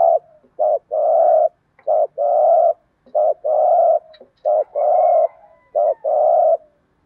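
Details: Spotted dove, a cu gáy calling thúc gù, repeats a paired phrase about four times: a short coo then a longer full coo, evenly spaced roughly every second and a half.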